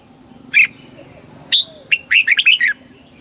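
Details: Red-whiskered bulbul song meant to excite birds: a lone short note, then a quick burst of bright, warbled, slurred whistles rising and falling, with a faint steady high whine behind.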